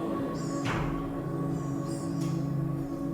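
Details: Steady droning music with sustained bell-like tones and a couple of soft swishes, with no animal voice anywhere.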